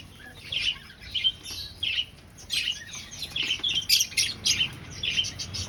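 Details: Aviary finches nesting and breeding, with short bright chirps spaced roughly every half second, then a denser run of overlapping tweets from several birds in a quiet room.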